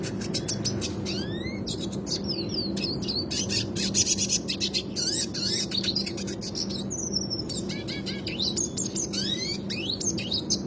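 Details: Red Siskin, classic type, delivering its rolling song for teaching other birds: rapid dense high twittering and rattles, interspersed with upslurred whistles and buzzy phrases, running continuously over a faint low hum.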